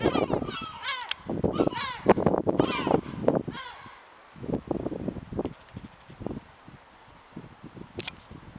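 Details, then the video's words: Yellow-legged gull below the castle in Alicante on 2/10/2021, giving a rapid run of harsh, descending, laughing cries for about four seconds, then quieter scattered notes, with a steady low urban rumble underneath. "Gull (Larus michahellis) calling"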